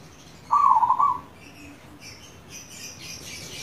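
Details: A single trilled, bubbling coo of well under a second from a local zebra dove, played as lure audio for caged doves, followed by quiet background with faint high chirps.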